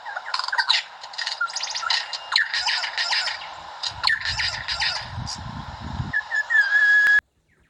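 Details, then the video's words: Australian lyrebird, a songbird known for mimicking everything from jackhammers to chainsaws. It gives dense chattering song of buzzy squawks and rapid trills, with a low rumbling mechanical-like burst midway. The song ends on a drawn-out clear whistle. "LYREBIRD: The Largest Of All The Songbirds It Uses Its Voice To Imitate Everything"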